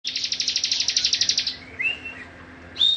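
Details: Cibon, meant as a tutor song for training other songbirds: a fast burst of about sixteen sharp, buzzy high notes repeated rapidly, then a short rising whistle and a high clear note at the end.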